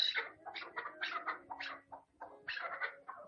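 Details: Chukar partridge (Alectoris chukar), call.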